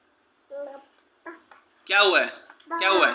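An African grey parrot talks in four short, speech-like phrases, bright and rising toward the end, the last two loud and drawn out, in a quiet room.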